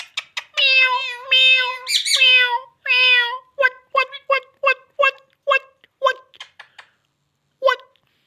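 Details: Indian ringneck parrot talking: several long, harmonic, word-like syllables, then a rapid string of short clipped syllables that fades out, with one final short note after a pause.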